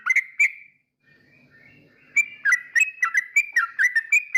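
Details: Yellow-vented bulbul song for provoking rivals: two clear chirps, a soft sliding whistle, then a lively series of bubbly, dipping notes repeated about three times a second.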